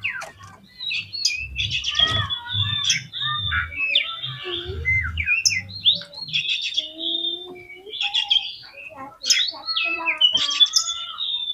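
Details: Magpie-robin song meant to provoke other magpie-robins, a long, dense medley of whistles, chattering trills and scratchy notes poured out almost without pause, over a low rumbling background hum.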